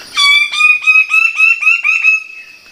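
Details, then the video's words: Bird of paradise calling loudly: a rapid run of about eight clear, ringing, harmonic notes, each starting sharply, delivered over two seconds with a slightly rising pitch. "the sound of birds of paradise"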